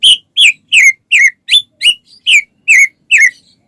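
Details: White-rumped shama song used to make other shamas start singing: nine loud, clear downslurred whistles spaced evenly, about two and a half per second.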